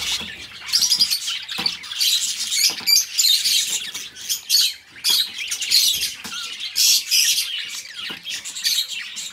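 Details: Caged budgerigars squawking and chirping in uneven bursts, harsh scratchy notes rising and falling with brief quiet gaps and light clicks.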